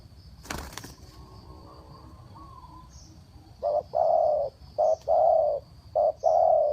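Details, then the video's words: Fast cooing of a spotted dove used to lure birds for trapping: after a sharp click, soft low coos follow in short-long pairs, three pairs in quick succession. "Chim cu gáy gù tốc độ"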